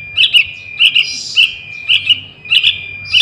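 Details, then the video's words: Call of a young sooty-headed bulbul used to attract wild birds: doubled high chirps about every 0.6 seconds, one long breathy hiss between them, over a faint steady whine. "Suara Anak Burung Trucukan"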